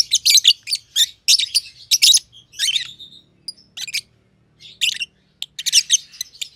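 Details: Two lovebirds, a young green personata and a green pied personata, playing and chirping in an aviary. Dense scratchy chirps bunch into busy volleys, broken by a pause and then resuming.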